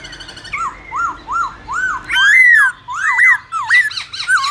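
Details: Wild song (giọng rừng) of a Black-throated laughingthrush, used to train young birds: three evenly spaced arched whistles, then longer swooping notes and quick rising-falling phrases.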